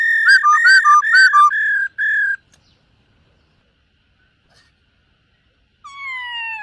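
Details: Morning song of a silver-eared laughingthrush in voice training, with dancing: a fast run of warbled, looping whistles and two sustained clear notes, a long pause, then one loud descending whistle.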